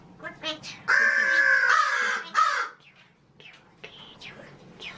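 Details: Male pet magpie imitating human speech: one long drawn-out raspy, voice-like sound lasting over a second, then a short clipped syllable, followed by quieter scattered squeaky notes.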